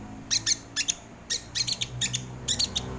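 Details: High, dry chipping from a sogon bird, used as a lure and training recording: short clustered clicks in pairs and triplets about every half second, with faint low hum beneath.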